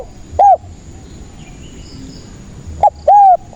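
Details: Spotted dove song played as a lure for trapping other doves. Two brief, loud cooing bursts are separated by a quiet gap: a short hoarse note, then a clipped rounded coo. A faint background hiss is present.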